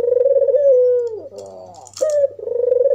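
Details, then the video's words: Red-eyed albino African collared dove calling to provoke other doves: a steady purring coo that slides down, a raspy grating burst, then a sharp rise into another trilled coo. "SUARA burung puter putih mata merah ALBINO"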